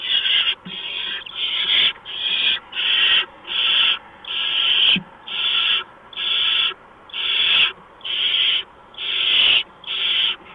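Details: Barn owl at its nest on 6 March 2015, 4:26 AM, as a mouse arrives; a steady run of about thirteen rasping hiss-screeches, each roughly half a second, evenly paced.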